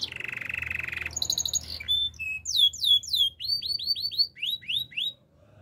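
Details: Canary song opening with a long buzzy roll, then a chattering burst, followed by separate downslurred whistles and a run of evenly spaced rising notes that fades out.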